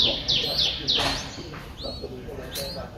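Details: A seven-day-old Streak-eared Bulbul nestling, at the age its eyes open, in Ubon Ratchathani, Thailand, 9 April 2023, gives a quick run of thin, high, sibilant chirps, then two fainter rising notes over a murmur of voices.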